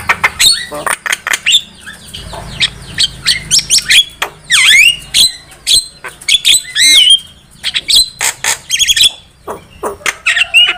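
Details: Javan myna singing constantly, used as a lure to attract wild birds. A long stream of sharp clicks, squeaks and bent whistles, sometimes briefly broken, mixed with occasional harsh, rough bursts.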